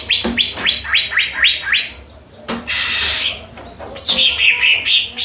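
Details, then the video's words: Greater green leafbird, called cucak ijo, gives a fast series of six sharp descending chips, a short pause, a rough hissing burst, then a bright, wavering whistled phrase that falls and rises. "Cucak ijo anda pasti ikut bunyi"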